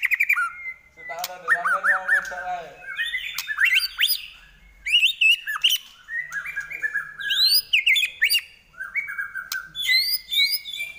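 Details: Varied song of a white-rumped shama (murai batu): clear whistles, short chattering runs and sharp clicks, in phrases separated by brief pauses.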